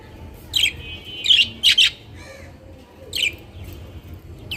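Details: Budgerigars, captive colourful budgies, giving short harsh squawking calls in bursts, a quick double squawk near the middle and another a second later, over a low steady hum.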